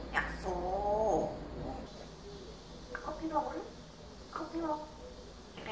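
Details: Talkative pet parrot in a small room imitating speech, with a longer nasal, harmonic phrase followed by two shorter speech-like bursts separated by pauses.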